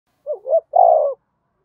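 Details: Spotted dove giving an urging, calling coo to provoke other doves: one short phrase of two soft, low, wavering coos, then a longer, steady, hoarse coo, in quiet surroundings.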